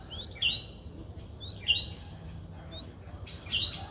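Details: Four-day-old Streak-eared Bulbul nestling, a very common resident, recorded in Ubon Ratchathani, Thailand, on 6 April 2023; thin, high chirps sound about every one and a half seconds over a soft, low background rumble.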